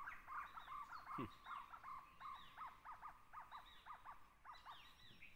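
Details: Jungle owlet (Glaucidium radiatum) at Tansa Wildlife Sanctuary, Maharashtra, India, gives a rolling series of mid-pitched barking notes, about three per second, with faint chirps of other birds behind.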